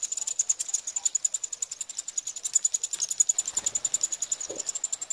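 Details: Eurasian wryneck chicks being fed at Pribytki, Russia, on 2 July 2018 beg with a hissing, rasping chatter of quick pulses, about ten a second, with a couple of faint soft knocks.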